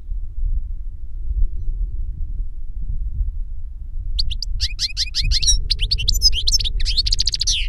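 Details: Older goldfinch singing to teach a younger goldfinch: about four seconds of only low rumble, then a fast, dense twittering song of rapid chirps and trills that carries to the end.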